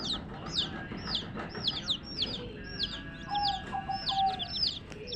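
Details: Young chicken chicks calling in a steady stream of high, sweeping peeps, each note curling down and up, several birds overlapping against a soft, noisy low background.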